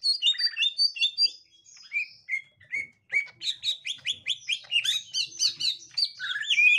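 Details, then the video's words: Green leafbird of the gotri type reacting on meeting a young wild green leafbird: rapid, busy chatter of sharp chirps, slurred whistles and buzzy notes, high-pitched, pausing briefly mid-clip, then bursts repeated about twice a second. "Tingkah Cucak Ijo Gotri Saat Di Temukan Cucak Ijo Muda Hutan"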